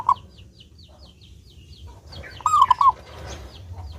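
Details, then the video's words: Clear-voiced local zebra dove used as a lure to prompt doves to sing: one brief cooing phrase of several low, rounded notes ending in a quick roll, with faint high chirps of another small bird earlier. "Perkutut Lokal Gacor Suara jernih"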